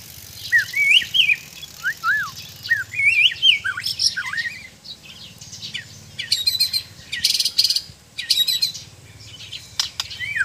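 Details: Kept white-rumped shama of the Sabah Borneo type pours out arched whistled notes and rapid twittering, then loud broadband rattling clicks, phrases pausing briefly, over a steady low hum.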